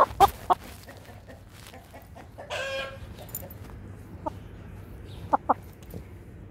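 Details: Brahma rooster on the attack: quick clucks open, then a drawn-out harmonic squawk lasting about half a second, followed by sparse single clucks, all over a low droning hum.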